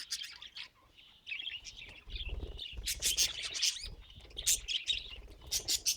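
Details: Budgerigars in cheerful song: rapid high twittering and buzzy chattering warbles with sharp clicking notes, starting softly and then building into loud, dense bursts, with faint low rustling underneath.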